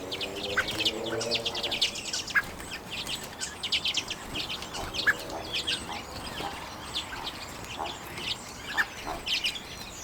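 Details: Common redpolls feeding on sunflower seeds in late January 2022, recorded on a Canon EOS M50 camera; dense overlapping high chirps and short buzzy notes, with a low harmonic hum in the first two seconds.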